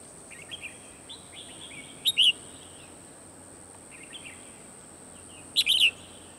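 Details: A red-whiskered bulbul kept as a trapping decoy, 12 December 2020. Soft twittering, then two separate bright chirped phrases about three and a half seconds apart, over steady background noise.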